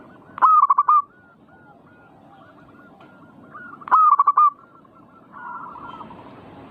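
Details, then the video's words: Zebra dove song used to rouse a perkutut into singing: two bright rolling coo phrases about three and a half seconds apart, each a sharp onset then fast pulsed notes, a quieter cooing bird answering at the end. "Pancing Emosi burung perkutut bikin cepat Gacor rajin bunyi manggung"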